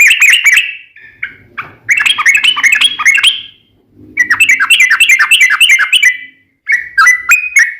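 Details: Sooty-headed bulbul singing a gacor ropel panjang song used as a lure to get other birds to answer: bursts of bubbly, chattering notes in rapid runs, separated by short pauses, with faint low rumble beneath.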